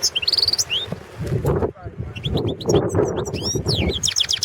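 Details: Competition recording from Serbia's 2017 world championship in goldfinch song, a Balkan goldfinch subspecies balcanica, gives quick rising whistles and twitters at the start, then renewed rapid chattering phrases later, against low rumbling background noise.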